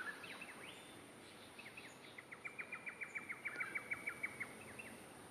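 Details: Lewin's honeyeater in Ross Road Parklands, Brisbane, Queensland, Australia, on 03/03/24, calling from cover in thick trees with a rapid staccato machine-gun rattle of clipped notes, over a steady high insect hum and softer background chirps.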